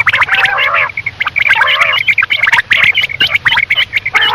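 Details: Night calling of quail: rapid, busy series of sharp flat whistled notes interleaved with nasal, drawn-out squawks, sustained with only short pauses throughout, over a faint low hum.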